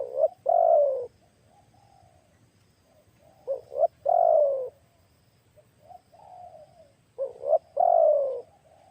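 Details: During a lure test for catching wild spotted doves, loud phrases of quick rising notes ending in a long downward coo, three times, with softer, lower coos heard between phrases.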